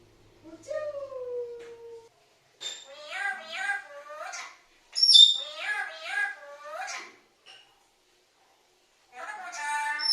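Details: A talking parrot chatters in several rapid, speech-like bursts of short harmonic syllables with high squeaky accents and pauses between phrases, as if calling for mom.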